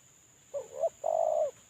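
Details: Spotted dove used as a lure bird while moulting: one low cooing phrase of a short two-part coo and a longer level, slightly rolling coo, over a faint constant high whine.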